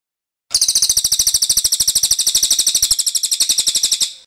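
A Cililin gives a long, high, rolling trill of rapid notes, about ten a second, running steadily for over three seconds.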